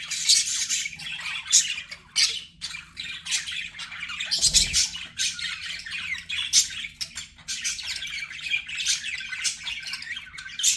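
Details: Pet budgies chatter steadily, scratchy high squawks and warbles with louder peaks scattered throughout, and a short low thud around the middle.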